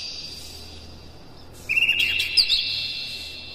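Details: Oriental magpie-robin song used as a training lure to rouse other birds: a quiet hissy start, then a burst of bright, warbled whistles and chips from the second half onward.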